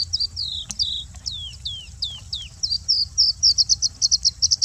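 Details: Singing bushlark perched on harvested peanuts in a peanut field in Andhra Pradesh, India, raising its crest while singing: high thin down-slurred whistles, then a fast run of short repeated chips, quickening toward the end.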